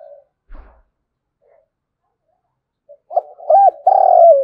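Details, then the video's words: Spotted dove calling 'thúc gù', a 'thổ đồng' voice meant to lure wild doves. After near silence with a faint knock, a run of short coos swells into a long, loud, slightly falling coo at the end. "cu gáy thúc gù/ Tiếng cu thúc gù hay bổi nghe ức chế gáy theo cả ngày"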